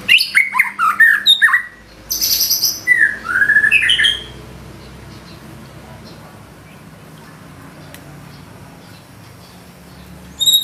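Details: White-rumped shama delivering 'isian' fill-ins in 'gacor' style: quick slurred whistles and a harsh high burst in the first four seconds, then a long quiet stretch before a final brief high note.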